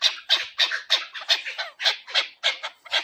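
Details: Chukar partridge call heard in a hunting context: harsh, scratchy chuck notes repeated about three times a second in an even, steady series.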